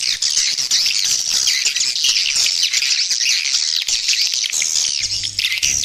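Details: Swiftlets calling, a sound played to attract them and raise the population: dense, squeaky, warbling twitters layered into a continuous high chorus, with a faint low hum near the end.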